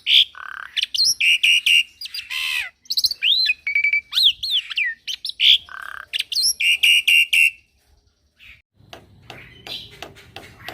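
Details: Young Javan pied starling singing continuously through a full-repertoire tutor song: rapid repeated bright notes, buzzy rasps, clear swooping whistles and harsh chatter for about eight seconds, then it falls quiet with faint background noise.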